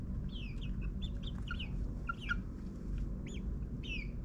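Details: Nine-week-old backyard chicks in suburbia utter short, high chirps and soft falling peeps, scattered through the clip, against a loud, continuous low mechanical hum.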